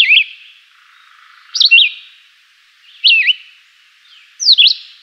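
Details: Juruviara, the Chivi vireo, gives its simple melodious song: four short whistled phrases, each a sharp downslur then a wavering rise, delivered roughly every one and a half seconds.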